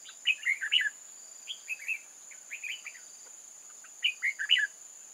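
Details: Old-forest red-whiskered bulbul used as a trap decoy to draw in wild birds, 8 October 2018: rapid bouncy whistled phrases of four or five notes, several in quick succession, with a constant high hiss behind.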